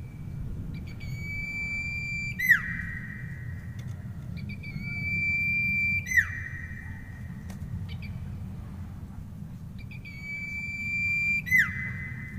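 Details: Common iora (Aegithina tiphia) song: long, drawn-out high whistles ending in a quick downward slur, repeated every few seconds over a steady low hum.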